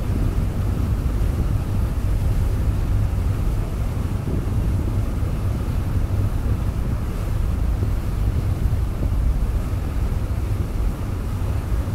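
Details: Steady low rumble of wind buffeting the microphone, with a faint wash of surf and no animal calls.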